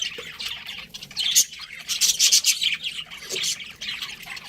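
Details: Pet budgerigar breeding pair chirping: dense bursts of scratchy, high chatter and squawky notes, louder around the middle and again near the end.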